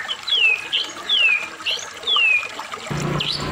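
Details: White-rumped shama from Medan, singing to provoke other shamas into song: clear descending slurred whistles repeated about once a second, with short high notes between, over a steady rushing, water-like background noise.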